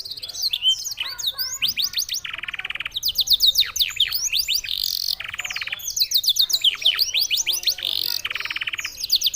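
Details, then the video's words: Canary singing in a style said to resemble a songbird from Senegal: rapid high descending whistled sweeps, interrupted by dense buzzy trills and rattling bursts, the phrases repeating in a varied, continuous flow. "CANARY SINGING"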